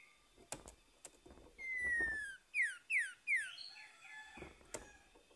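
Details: Orange-headed thrush song in the morning, used as a lure to restart a bird that has stopped singing: a long falling whistle, then three quick downward-sweeping whistled notes and softer chatter, over hissy background noise and clicks.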